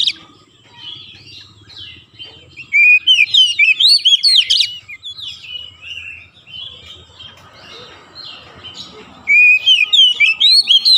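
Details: Energetic Oriental magpie-robin song meant to prompt reluctant birds to sing without stopping: quiet twitter gives way to about two seconds of loud rapid whistles and trills, softer chatter follows, then a fresh loud burst near the end.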